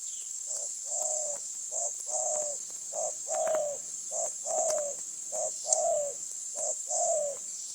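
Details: Wild spotted dove in Phrae, Thailand, coming to a decoy: steady run of low, hollow coos in short and long alternating notes, about one each second, over a constant high insect drone.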